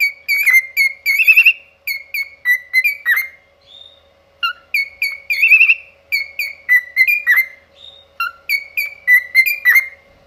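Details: Pet cockatiel singing in a style its owner likens to opera: bright whistled phrases of short repeated notes, some sliding down, in bursts separated by brief pauses, with a faint steady low hum beneath.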